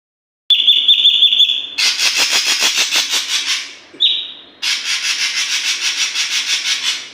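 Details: Oriental magpie-robin, singing actively while learning to bring out its learned song phrases: a steady pulsed high whistle, then long bursts of harsh, buzzy, rapidly repeated notes, a short whistle, and more rasping rhythmic bursts.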